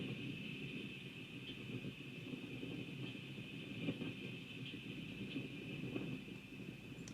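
A steady low rumble, like a passing vehicle or train, with a constant high hum above it and no clear animal calls.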